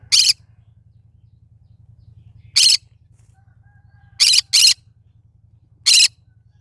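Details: Short scratchy squawks from a cinnamon green-cheeked conure, one a quick double, spread irregularly over a faint steady hum.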